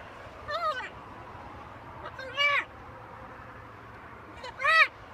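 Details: Pet macaw kept on a home balcony, talking: three separate tonal, arched, harmonic syllables spaced about two seconds apart, with quiet background hum between them.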